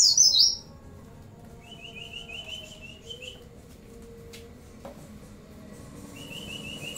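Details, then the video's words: Oriental white-eye song mixed with cililin, bren and cigun imitations: a brief loud high twitter at the start, then softer repeated buzzy trills at a lower pitch over quiet room noise. "pleci gacor isian CiLiLin sambung bren cigun"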